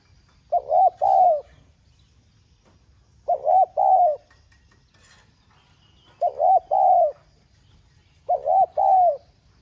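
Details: Spotted dove in 'giọng son' style, calling to urge other doves into cooing: four evenly spaced phrases of a stuttered short coo then a long arched coo, roughly every two to three seconds.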